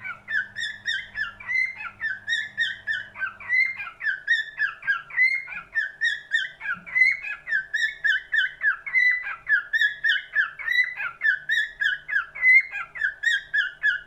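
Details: Long run of cockatiel song: fast, rhythmic whistled syllables with strong harmonics, pulsing steadily throughout. A low hum heard early on fades away after the first few seconds.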